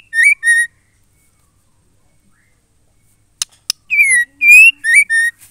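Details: Female white-rumped shama singing to spur a male into song: a short pair of whistled notes, a long silence, then sharp clicks and a run of four rich, slurred whistles.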